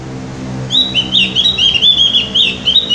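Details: Opior jawa, the Javan grey-throated white-eye, on a lure recording to get birds singing: a dense, rapid, high twittering phrase of bright slurred notes over a low background hum.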